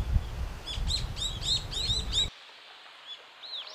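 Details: Brown-eared bulbuls noisily visit a blooming cherry tree in Japan for nectar. A rapid string of looping, arched squeals lasts about two seconds, then fainter scattered calls follow after an abrupt drop in background noise.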